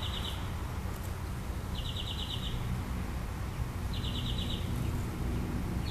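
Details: Mockingbird singing at night: short buzzy, rapidly trilled high phrases of about half a second, repeated roughly every two seconds, over a loud steady low rumble of background noise.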